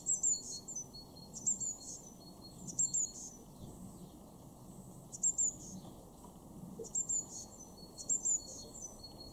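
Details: High-pitched thin double notes from a Eurasian blue tit, recurring in short bursts every one to two seconds; garden recording from Weener, East Frisia, northwest Germany, February 2023, over soft low background noise.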